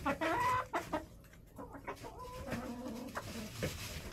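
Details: Hens clucking in a snowy backyard coop in January, with a loud burst of calls at the start, then softer clucks and brief squawks over a low background hum.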